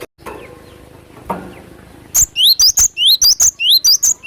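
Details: Wild cinereous tit used as a lure sound: after quiet background rustles, a fast run of about ten sharp, high, upslurred whistled notes, each paired with a thin squeak, repeated in quick even succession.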